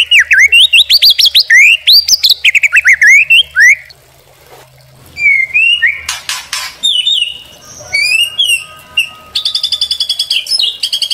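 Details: White-rumped shama singing in a masteran training and pancingan lure recording: rapid rising whistled notes in fast sequence, a short quieter pause, then varied clicks, slurred whistles and a closing rapid rattling trill.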